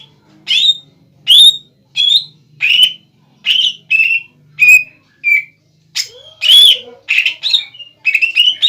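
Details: Greater green leafbird in a cage singing to make a rival respond: a series of clear upward-slurred whistles repeated at about one per second, then busier chattering notes, over a faint low hum.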